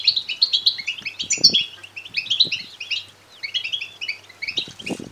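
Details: European goldfinch fledglings beg in a lively stream of tinkling, buzzy chirps, two bursts separated by a short lull, with faint knocking sounds underneath. Used to excite male goldfinches to sing and breed.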